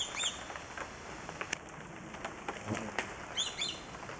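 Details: Flying swallow-tailed kites, many seen at once; brief bursts of sharp, high, downslurred whistles at the start and again near the end, with scattered clicks and hiss between.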